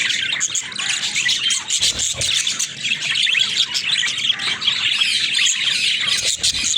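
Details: Talking pet budgies keep up a thick, nonstop warbling chatter of rapid chirps, clicks and buzzy notes that barely pauses for nearly seven seconds.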